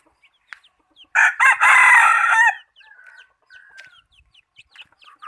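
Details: Chicken used as a decoy to catch birds delivers a single strong, rasping crow lasting about 1.5 seconds, followed by soft chirps and short whistled notes from other birds.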